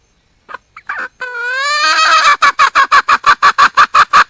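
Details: A junglefowl hen calling for a mate gives a few short notes, then a long rising, drawn-out squawk, breaking into regular rapid clucks about three per second.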